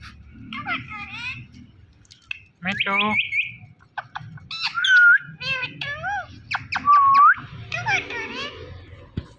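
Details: Talking Indian ringneck parrot producing a rapid string of chattering, voice-like syllables with rising and falling tones, a drawn-out buzzy note and two bright whistled slides, over faint low background noise.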